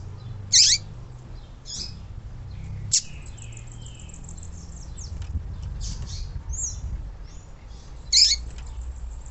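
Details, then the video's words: Female yellow-bellied seedeater calling, a sound used to excite and condition males. Short, sharp high chirps: a loud one near the start, softer ones in between and another loud one near the end. A low background hum runs throughout. "Papa capim fêmea levanta defunto"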